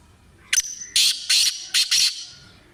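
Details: Black francolin, locally called kala tetar or Sindhi tetar, kept for training: a loud, harsh call of five grating bursts in about one and a half seconds, a short first note then longer buzzy ones, over a quiet background.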